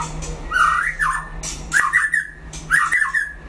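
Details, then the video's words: White-rumped shama in a solo singing duel gives three lower, slightly harsh, warbled phrases about a second apart, each a short rising-and-falling sweep, with a constant low hum underneath. "File Lửa đấu solo (shama bird)"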